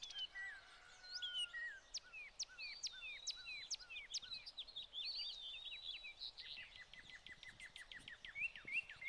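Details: American goldfinches in summer plumage, joined by a few pine siskins, feeding on sunflower hearts at a tray feeder in spring 2020; rapid runs of short, sharply falling chip notes over steady twittering chatter from the flock.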